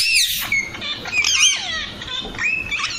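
A young Alexandrine parakeet gives harsh, squeaky calls with high, wavering notes over about three seconds. Some faint noise and voices run underneath.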